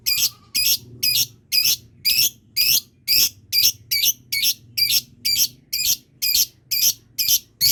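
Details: Lovebird responding to others with a steady series of rasping, high chattering notes, about two per second, each note buzzy and even, continuing without break.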